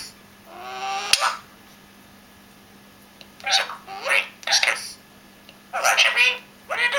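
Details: Pet parrot talking indoors, a few scattered speech-like bursts with a sharp click near the start and silences between phrases.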